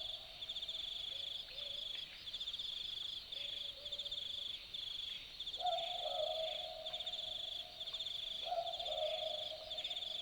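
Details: Australian boobook calling at night in the Australian bush, Dharug National Park: faint two-note hoots early, then two clear boo-book calls about three seconds apart, higher note then lower, over a steady pulsing high insect chorus.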